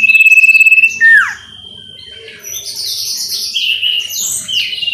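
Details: Clear sooty-headed bulbul song played as a lure for a caged bird so it sings readily. A pulsed whistle ends in a loud descending slur, followed by a steady tone and bright, high chattering phrases.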